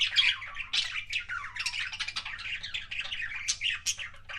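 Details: Budgie kissing sounds from a pet bird, a continuous run of scratchy warbles and short sharp chirps with quick clicks, busy and unbroken, over a faint low mains hum.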